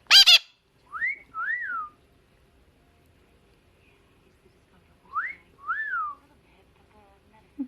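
A mitred conure gives a harsh squawk, then a two-note whistled phrase, first note rising and second arched. The phrase repeats about four seconds later. The room is otherwise quiet.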